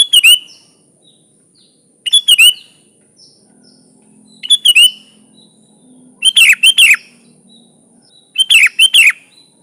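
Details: Sooty-headed bulbul singing a lively, full natural-fill 'gacor' song: short bright phrases of two to four quick slurred notes, repeated about every two seconds, with a steady thin high tone behind.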